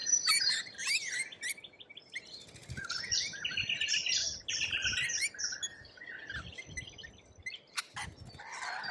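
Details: Australian lorikeets squabble in loud bursts of grating screeches and twittering, with short quieter gaps and a sharp click near the end.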